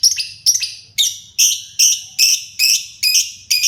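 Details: Pet lovebird starting to sing in full voice, uttering loud harsh squeaky chirps repeated steadily about every half second, each note rising and shrill, over a faint low hum.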